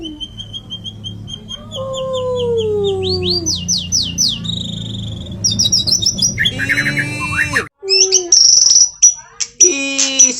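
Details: White-rumped shama singing a full varied song: long gliding whistles, stepped high trills, a harsh rattling burst, then loud piercing high notes, over a low humming background.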